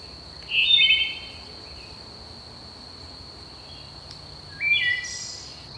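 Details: Wood thrush singing early morning in summer from dense woodland at Manassas National Battlefield Park: two flute-like phrases about four seconds apart, several notes ringing together, over a steady high insect drone.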